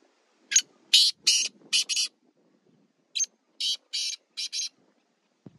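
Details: Sheedi Chinga cross black francolin from village life giving two quick phrases of loud grating, scratchy notes, each phrase of four to five clipped syllables in uneven rhythm, then near silence with a faint thump at the end.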